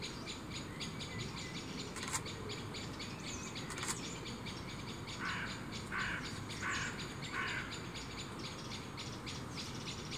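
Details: Two young tawny owls looking for food in a tree opposite a balcony give four hoarse, hissing calls about 0.7 seconds apart. Blackbirds, unsettled by the owls' presence, squeak nearby over a steady rapid ticking chatter.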